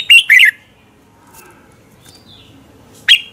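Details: Morning competition song of a red-whiskered bulbul, played to train birds into singing hard: two loud fluty warbled notes open, followed by near silence with faint distant chirps, then one more sharp bright note.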